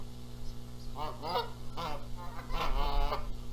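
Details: Canada geese fighting over sitting on the eggs at Rogers Place, Charlo, Montana, April 14, 2022, with the gander adding noise; a rapid run of loud, ragged honks in the second half, low hum throughout.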